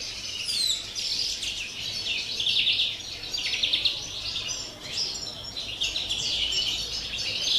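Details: Campero-style song of a European greenfinch, 30 December: bursts of high twittering and buzzy trills separated by short softer gaps, a little quieter, with faint background hiss.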